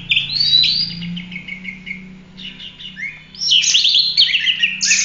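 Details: Oriental magpie-robin singing a lively 'gacor' full roll tembak song, used as masteran tutor for training other birds: varied high whistles and buzzy trills, rising phrases, over a steady low hum.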